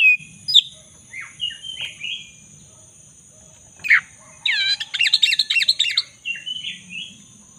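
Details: Black-breasted Oriental magpie-robin (Copsychus saularis) song used as a lure to prompt a silent caged bird to sing again: loud, varied whistles and slurred notes, with a rich, rapid warbling burst in the middle, over a faint steady high whine.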